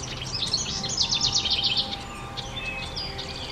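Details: House wren at a nest box as the last two of five nestlings make false starts before flying to a dense hemlock: a brief, fast, high rattling trill of closely spaced notes lasting about a second, then fainter chips over steady background hiss.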